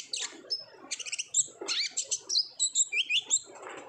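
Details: Lure recording of an olive-backed sunbird singing busily: quick bursts of sharp high chirps, trills and short whistled slurs, closely spaced and bright, over a quiet background.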